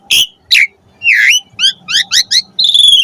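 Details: Asian pied starling, or jalak suren, singing for pet-bird training: a few loud harsh squawks followed by quick paired rising whistles and a drawn-out high buzzy note.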